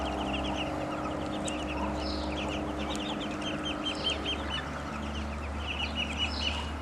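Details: Hungry young ducklings, now grown, give many overlapping high peeps in a continuous chatter over a steady low mechanical hum.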